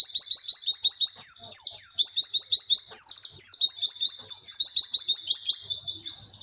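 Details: White-eye, known locally as pleci, giving its clear "witwit" tutor song for young birds: shrill downslurred notes tumbling in rapid succession, steady and loud throughout with soft low hum near the end.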